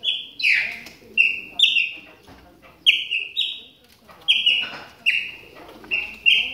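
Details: Moulting Chopi blackbird warming up, delivering a rapid string of ringing whistled notes, level or stepping slightly higher, clustered in twos and threes with short gaps and a soft background hiss.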